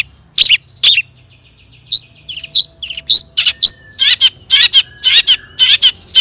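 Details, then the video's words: Long-tailed shrike used as a lure so other shrikes sing: scattered sharp chirps and short whistles, building into a dense, scratchy series of loud harsh notes. "cendet gacor AMPUH TOET TOET PANCINGAN CENDET AGAR BUNYI"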